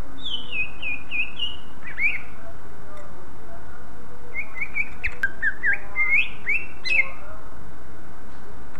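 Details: Greater green leafbird whose song draws other leafbirds into singing: two bursts of bright whistled, slurred notes, chattering and varied, over a steady low hum.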